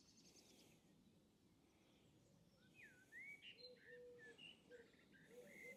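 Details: A Common Blackbird sings somewhere nearby outdoors on a showery spring day: a short run of mellow, fluty whistled notes, some sliding upward, over a steady hiss of background noise.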